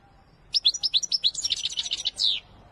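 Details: Wedani goldfinch in full song: a rapid run of about fifteen high, sharp twittering notes over two seconds, ending in one longer drawn-out buzzy note.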